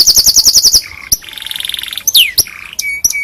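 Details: Canary song for tutoring other canaries: about nine bright pulsed notes, then a softer rolling trill, a sweeping downward whistle and short clipped notes.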